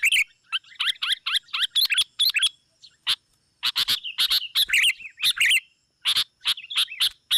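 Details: Sooty-headed bulbul calls played as a lure to draw rival birds: busy chattering warbles and sharp chips, dense at the start, then sparser notes with a mid-clip gap before the lively chatter returns.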